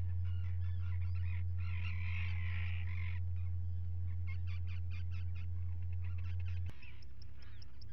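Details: Common guillemots at a nest site on a live camera on 27 June 2020 as two chicks hatch: a harsh, grating call runs for about two seconds, then brief broken calls follow, all over a constant deep hum.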